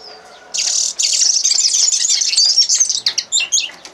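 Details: Common linnet song, a dense, fast twittering stream of high chirps and whistles that starts abruptly and runs nearly continuously, breaking into separate sharp notes toward the end.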